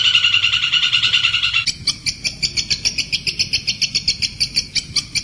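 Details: Kuntilanak bird song recorded as a clear training track for songbirds such as shrikes, magpie-robins and magpies. A loud buzzy burst gives way to sharp, high chirped notes repeated steadily, about two to three per second.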